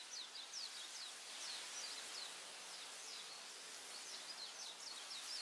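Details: Morning forest birdsong: thin, high chirps given in little bursts, repeated throughout at irregular intervals, fairly faint against a constant airy hiss of background noise.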